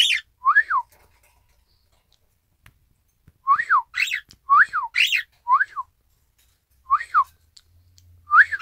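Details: Isabelle pearl cockatiel, a household pet, echoing a whistled "ppoiyo" on 1 December 2018: brief arched whistles, then after a pause a dense run of alternating pure and buzzy rising-falling notes.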